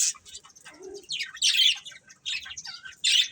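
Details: Budgerigar breeding pair giving short, rasping chirpy phrases, each lasting a fraction of a second and separated by brief pauses, bright and high throughout.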